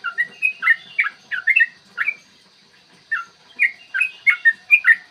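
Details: Yellow-vented bulbul singing its long 'ropel' fighting song, played to make other bulbuls sing and become agitated; clear morning sound. Quick bubbly whistle phrases, then about a second of quiet before the chattering resumes loudly.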